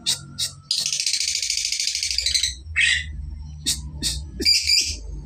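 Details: Young lovebird learning to extend its ngekek trill; after two short chirps comes a rapid buzzy trill lasting nearly two seconds, then a downslurred squeak and scattered sharp chirps over low hum.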